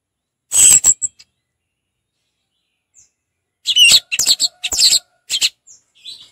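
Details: Orange-headed thrush singing in the loud, open ngeplong style: sharp, very high scratchy chirps in a short burst, a pause, then a denser run of buzzy high notes and twitters.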